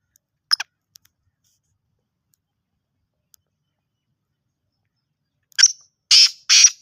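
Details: Black francolin in Sindh, Pakistan: after a short harsh double note and near silence, a run of three loud, rasping, broadband bursts closes the clip in quick succession.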